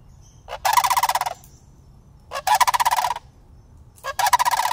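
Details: Greeting a person, two juvenile sandhill cranes living year-round in a city, filmed on an iPhone. Three rolling, rapidly pulsed rattles follow one another, about every one and a half to two seconds.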